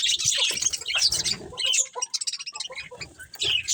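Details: Budgerigars of a breeding colony giving scattered high chirps and scratchy chatter over rustling, the calls quieter and more broken toward the middle before rising again.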